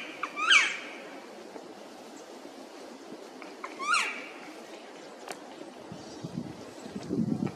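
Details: Black woodpecker, an endangered species, recorded while birdwatching at a national arboretum in Korea: two loud, ringing, slightly falling calls about three seconds apart, over steady background hiss and a low rumble at the end.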